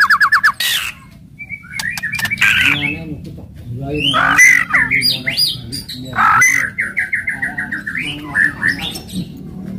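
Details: White-rumped shama giving harsh, aggressive crackling rattles and loud shot-like calls to stir other shamas: rough squawky bursts alternate with short buzzy trills and rising whistled notes.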